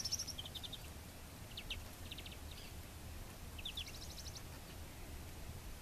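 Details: European bee-eater perched on a branch preening in Ávila province, Spain, giving short, rolling, liquid 'prruip' notes in scattered bursts of two to six, fairly high-pitched, over a low steady rumble of background noise.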